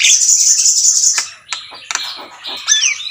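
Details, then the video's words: Jalak kebo, the Javan myna, singing in its own voice: a sustained high hissing buzz for about a second, then scattered clicks and a couple of bending whistles. "jalak gacor || suara asli jalak kebo"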